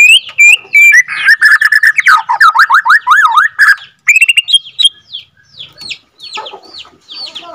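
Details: Borneo white-rumped shama, captive-bred F2 bird, with rich varied song: ringing whistles, a run of swooping looped notes, then quieter scattered chips and slurs.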